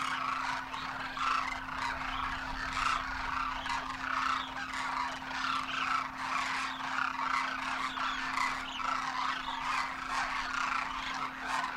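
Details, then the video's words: Dense flock of Demoiselle cranes, adults with first-year juveniles wintering at Khichan Village, Rajasthan, India, taking off and trumpeting in flight: overlapping croaking, trumpeting calls, steady and unbroken, over a constant low hum. "Demoiselle Cranes darken the sky, trumpeting in flight"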